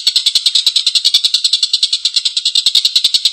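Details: Collared kingfisher giving a long, rough laughing call used as a training recording: harsh, buzzy 'kek' notes repeated rapidly, about three to four per second, in an even chattering series throughout.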